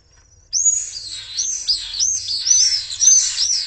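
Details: Three common swift chicks in a nest at Jerez de la Frontera, attacked by an intruder while the parents were away; loud, shrill, high screams in rapid arching bursts, rising then falling, running continuously for about three seconds.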